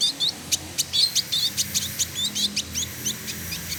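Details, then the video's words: Actively singing male village indigobird, trotol, in Bandung, West Java, Indonesia: quick varied high chirps and short whistled notes, three to four a second, over a steady low hum. "Burung Masteran Village Indigo Trotol Gacor"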